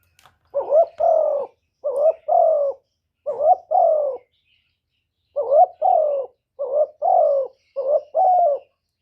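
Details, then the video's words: Decoy spotted dove calling to lure wild males into cooing: clear, low paired coos, a brief note then a drawn-out falling one, repeated steadily in clusters with a short pause midway. "CU gáy Mồi Cực hay hạp bổi thúc gù bổi ghét, tiếng chim cu cườm, cu đất"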